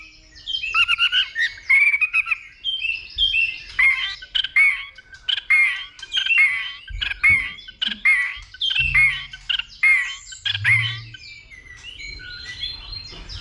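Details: White-rumped shama in fighting song, excited by a female and flicking its tail, 'dìu bổi' style. Opens with tumbling varied whistles, then a run of short, punchy, repeated notes roughly twice a second, each with a crisp click.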